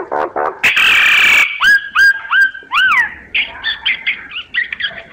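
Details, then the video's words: Myna singing a varied phrase: short harsh notes, then a long buzzy, grating burst, followed by clear whistled notes that slide down and arch up and down, ending in a fast run of short chirpy whistles. "Tiếng chim Sáo hót giọng chuẩn hay"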